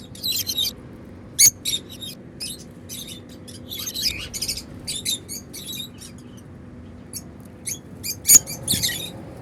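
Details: African lovebirds, flying freely, give happy sounds: a long run of scratchy, high chirps and short twitters, irregular and overlapping, with a couple of sharp louder notes.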